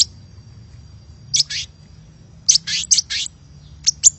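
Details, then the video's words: Hummingbird lure call from a lively, chattering bird: short bursts of two to four piercing high chirps separated by silence, over a faint steady high tone. "Suara Pikat Burung Kolibri Gacor"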